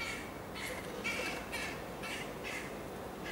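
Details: Young carrion crow with white plumage patches recorded in Amsterdam in July 2013: four or five hoarse, drawn-out, wheezy caws in quick succession against continuous background traffic-like noise.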